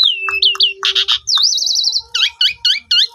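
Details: Asian pied starling singing, used as a lure to stimulate silent starlings: looping whistles, harsh buzzy bursts, a warbling wavering whistle, then repeated bouncy up-down whistled phrases at about three per second.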